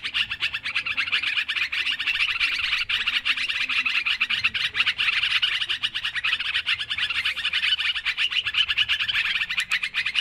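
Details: Noisy sooty-headed bulbul calling, recorded for luring birds. A continuous, thick wash of overlapping chirps and chatter runs steadily throughout, suggesting several birds calling together. There are no clear pauses.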